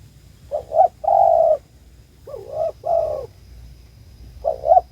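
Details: Spotted dove calling its companion: soft low cooing phrases, each a short double note followed by a longer drawn-out coo, repeated in two phrases with a faint steady hum behind.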